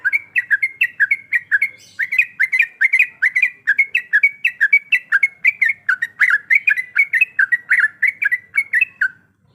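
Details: Breeding-condition female yellow-vented bulbul calling a male, delivering a continuous bubbly stream of short, liquid two-note phrases that bounce up and down rapidly for about nine seconds.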